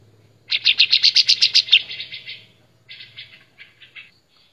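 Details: Master recording of a white-shouldered triller for teaching caged songbirds, loud and clear: a fast run of bright repeated notes for over a second, tapering, then after a pause a few softer, slower notes.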